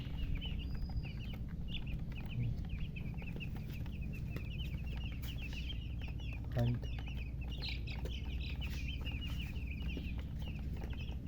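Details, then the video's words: Just-born chicken chicks chirping loudly, a dense unbroken stream of quick high peeps overlapping throughout, with a constant low hum underneath and a brief thump partway through. "Tot Murgi chicks chirping sounds Just Born Baby Gallina FRACAS Chicks Piar Loudly Sound"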